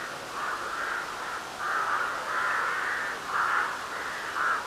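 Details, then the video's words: Crows on a spring night under a full moon in March 2021: harsh, hoarse caws, roughly one a second with short gaps, over a steady background hiss. "Varnų garsai"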